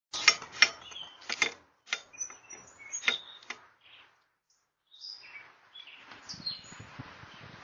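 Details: Birds calling: sharp clicking and chattering notes in irregular bursts for the first four seconds, a brief silence, then thin high chirps and short whistles over soft rustling.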